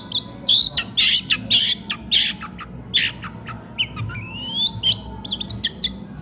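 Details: Long-tailed shrike, a singing bird used for training others, keeps singing as it eats: rasping harsh notes in a jerky series, then a long rising whistle and thin squeaky chips, over a low constant hum.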